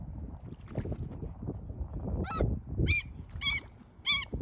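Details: Gulls calling: a few harmonic, slightly wavering cries in the second half, over a steady low rumble of water and boat noise.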